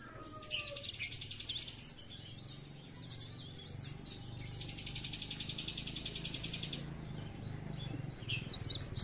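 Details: Cikrak daun, the mountain leaf warbler, in pre pare, blereng gacor song meant as a lure for trapping; two long buzzy pulsed trills with thin high notes, and a low hum beneath.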